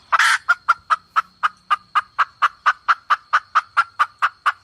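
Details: Forest hens used as bait birds give a calling sound: a harsh opening squawk, then about eighteen short mid-pitched clucks, roughly four a second, steady and even.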